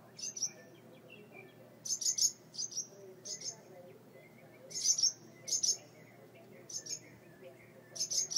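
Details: Upset birds at their porch light mud nest with two chicks, scolding because the front door is open. Clusters of two or three piercing, high chirps come in irregular bursts separated by brief pauses.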